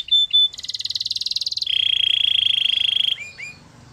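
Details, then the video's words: Canary delivering two short clear whistles, then a fast pulsing high trill that drops into a lower, longer buzzy roll, ending with two upward-curving notes. A soft low hum sits in the background. "Canary bird sounds | Your canary will sing a lot"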